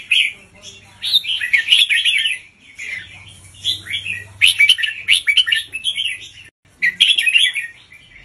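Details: Teacher red-whiskered bulbul in a cage, singing to train young birds: lively doubled phrases of warbled, slurred notes, several loud bursts with clear gaps between them, over a faint low hum in the background.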